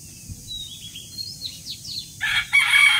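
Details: Small birds chirp briefly before a rooster breaks into a loud, raspy morning crow in the last second, cut off as it ends.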